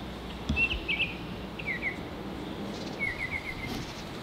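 Baltimore oriole giving short, clear whistled phrases of two to four slurred notes, spaced a second or so apart, over a faint outdoor hiss and a couple of soft thumps.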